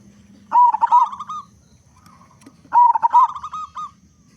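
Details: Loud local zebra dove singing eagerly as a lure to make other zebra doves sing: two matching phrases, each a bold wobbling coo running straight into a quick pulsed trill, about two seconds apart.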